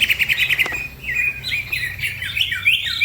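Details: Green leafbird (cucak ijo) singing fast as a masteran while other birds also sing. Quick stuttered notes lead into a flowing string of clear, wavering whistles that climb and dip.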